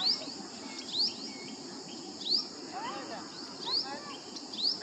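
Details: Asian green bee-eater at ARAI Tekdi, Pune, India: short, thin, rising high chirps repeat about once a second over a steady high insect drone, with faint softer bird notes lower down.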